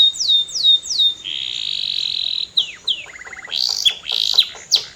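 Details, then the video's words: Canary song begins with three falling whistles, holds a steady buzzy trill, drops into a rattling low trill, then bursts into loud, dense, scratchy phrases. "CANARY GOES CRAZY! 🔥 Powerful Singing Sound"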